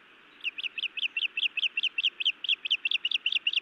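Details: Osprey female at her Montana nest scolding the male: an unbroken string of loud, shrill, upslurred chirps, roughly four per second, beginning after a short quiet start.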